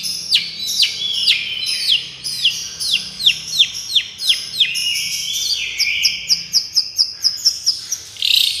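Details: Long-tailed shrike singing in the miyik style, a therapy track for training birds: rapid, downslurred high whistled notes repeated about one and a half per second, with some upswept chirps and buzzy trills layered over each other.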